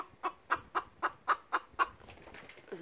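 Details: A hen gives a hawk alarm, seven sharp, clipped clucks at about four per second, evenly spaced, then breaks off into quiet; the threat was possibly only a pigeon or balloon.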